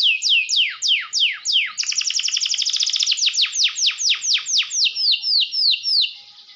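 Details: Canary song used as bait to provoke rival birds into excited singing: a run of clear downward-sweeping whistled notes, then a fast trill of about a dozen rapid repeated notes, then slower descending sweeps again.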